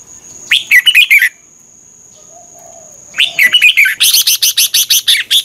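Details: Red-whiskered bulbul song used to train caged birds or make them lively: a quick warbled phrase, a near-silent pause with a low soft murmur, then another warbled phrase running into a fast series of sharp, evenly repeated clicking notes.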